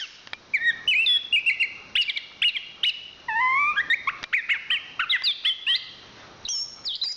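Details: Chestnut-capped thrush, a champion songbird, singing clear whistled phrases, some repeated and stepping down in pitch, mixed with quick chips and a final high whistled note.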